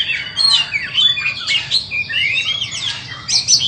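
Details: White-rumped shama, a bird for sale, pouring out a continuous, loud warbling song of twisting whistles and slurred notes, rising and dipping rapidly with barely a pause.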